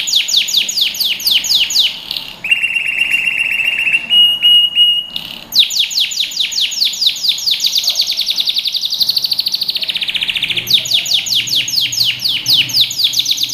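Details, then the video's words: Canary song used for training young birds: long fast series of sweeping chirps, a steady buzzy trill held for seconds, sharp pure whistles, then more rapid rolling trills, varied phrases following one another without pause. "Canary Singing | Melodies Canary Bird Song | Training Video"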